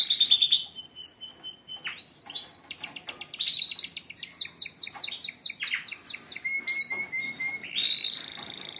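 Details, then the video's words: Several canaries singing together as a group to stimulate other birds: varied whistled phrases, long steady tones, rapid trills and sliding notes overlapping continuously, bright and high. "تغريد وبتبتة جماعية قوية🔥لطيور الكناري للتحفيز🔥 Canari Chant"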